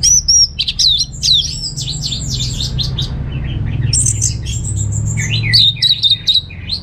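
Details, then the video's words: Receh song of a home-kept orange-headed thrush in North Bali, Indonesia: fast runs of high, thin, looping whistles, a busy middle stretch of varied twittering, then clear repeated whistled notes at the end, low hum beneath. "Receh & Jos Suara ANIS MERAH Berkicau"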